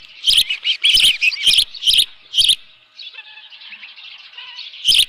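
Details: On a ranch nest with a live fish at 7:32 AM, 24 June 2018, an osprey gives six loud high chirping bursts in quick succession, then quieter thin whistles, and a final shrill burst.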